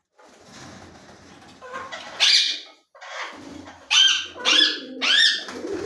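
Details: Ring-necked parakeet, a talking bird, starts with a low grumbling mutter, then gives a shrill squawk, then three loud upward-swooping screeches in quick succession near the end.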